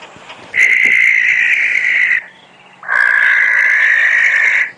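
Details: Barn owl call played back from a phone app during a sunset safari drive on 6 June 2016: two long, harsh, hissing screeches, each about a second and a half, separated by a brief pause.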